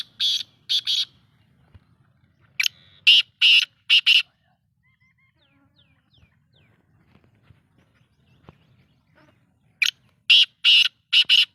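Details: Black-tailed godwit calling: loud, harsh, high calls in short bursts, two or three in quick succession, separated by long quiet gaps, with faint low rumble between.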